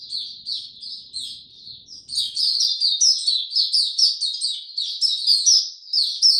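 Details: White-eye singing in warm, very humid weather on 26 March 2022, a kept songbird. A high, rapid twittering warble starts softly, then after two seconds becomes a loud, continuous jumble of sharp chirps and trills with a faint low rumble early on.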